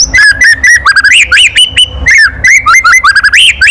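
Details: Loud kretekan call of a white-rumped shama, used to rile other birds: dense, fast sequence of sharp slurred notes, some rising and some falling, packed with crackling clicks, almost no pauses.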